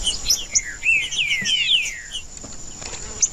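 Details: Male green-winged saltator singing to warm up other males: a quick run of bright, slurred whistled notes, mostly falling in pitch, bunched in the first two seconds, over a steady high-pitched hiss.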